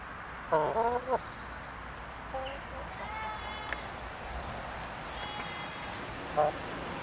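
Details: Giant buff and blue buff Brahma hens on a farm in Belgium: a short burst of harmonic, wavering clucks near the start, a faint drawn-out note mid-way and a brief call near the end, over steady outdoor hiss.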